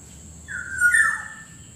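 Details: Black-naped Oriole lure whistle, somewhat soft: one long smooth fluty note that lifts slightly and then slides downward at its end, set against faint low rumble and a constant thin high tone.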